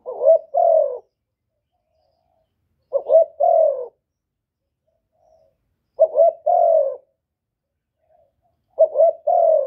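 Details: Spotted dove cooing, recorded cleanly without background noise, used by bird keepers to stir other doves into calling; low two-part hoarse coo phrases, a short note then a longer rolling one, repeated about every three seconds against silence.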